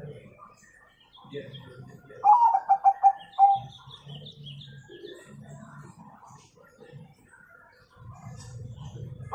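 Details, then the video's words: A zebra dove sings a quick run of five or six clipped, mellow cooing notes, meant as a lure to prompt young doves to sing, with soft chirps from small birds and low murmuring voices behind. "Perkutut Gacor Nggayer"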